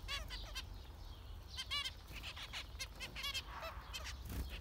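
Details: Zebra finches, several birds, giving clustered nasal buzzy calls with stacked harmonics, some rapid trilled runs of beeps, against a constant low rumble.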